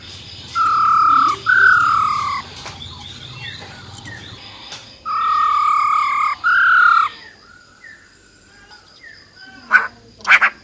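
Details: A female silver-eared laughingthrush sings her wild-style song, said to fire up males fast. Long, flat, clear whistles with bright overtones come in pairs, followed by softer slurred notes and a few sharp chips at the end.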